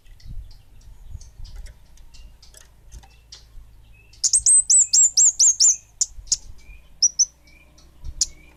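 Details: Orange-headed thrush, bunga api variety, singing hard: soft scattered ticks, then a tight burst of around seven loud, high, slurred whistles, trailing into a few separate sharp chips and a brief double whistle.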